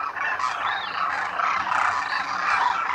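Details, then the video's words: Large wintering flock of Demoiselle Cranes at a Khichan lake, Rajasthan, India: a steady wall of hoarse honking and rattling calls, with a few clearer rising notes above the din. "DEMOISELLE CRANES of KHICHAN at the lake in THAR Desert | RAJASTHAN 🇮🇳 INDIA | BIRD sounds | KOONJ"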